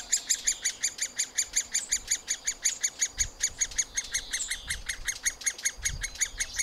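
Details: Middle spotted woodpecker nestlings at a cavity nest during feeding, recorded on a Panasonic FZ 2000 camera: a continuous, insistent stream of grating notes, nearly three each second, with faint low thumps in the background.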